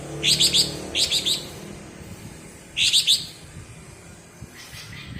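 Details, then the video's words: Cucak ijo (greater green leafbird) from Alas Purwo in Banyuwangi, delivering bebeci phrases: clusters of three bright, high stuttered notes repeated about once a second, then a pause and faint chirps. "Suara Bebeci Khas Cucak Ijo Alas Purwo Banyuwangi"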